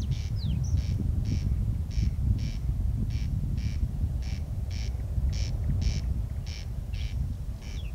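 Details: Nighttime corn crake in Kiili parish, recorded 14 June 2021 at 01:35, repeating its harsh crex-crex rasp in steady pairs roughly every second over a constant deep background hum.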